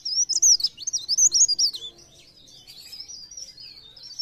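A high, thin, rapid warble of twisting notes in a busy two-second burst, followed by a quieter jumbled chatter.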